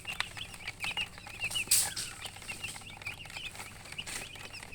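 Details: Baby chicks peeping in a busy chorus of thin high chirps, broken by a sharp hiss-like burst and some clicking or tapping.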